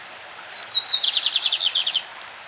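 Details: Lined seedeater, a champion singer of the classic song style, with a stream in the background: a few thin high whistles lead into a rapid buzzy trill of about a dozen pulsed notes, lasting roughly one and a half seconds.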